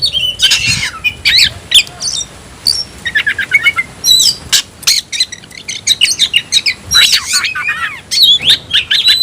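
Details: Caged oriental magpie-robin in tayoraky-style song: spaced clusters of quick chirping notes and sharp whistles, with rasping bursts between phrases and a high sustained tone.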